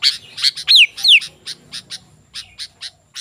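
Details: Sooty-headed bulbul in full, lively song, used as a lure to call wild bulbuls and to tutor caged ones: sharp high chirps with several clear descending whistled slurs near the start, chirps repeating roughly three per second.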